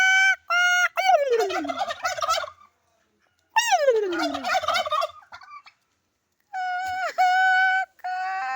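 A turkey gobbles in two loud, rapid, descending rattling bursts, separated by short steady honking notes and followed by more flat, strained calls.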